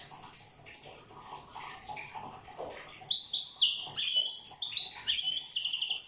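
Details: Goldfinch of the island of Corsica: faint soft chatter at first, then a loud, fast tumbling stream of high jingling twitters and buzzy notes in the second half.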